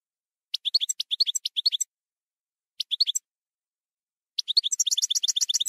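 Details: European goldfinch singing in the campero style: bright, high twittering phrases of rapid tinkling notes, a long burst, a brief pause, then a short phrase and a denser, faster liquid jingle at the end, with no other sounds.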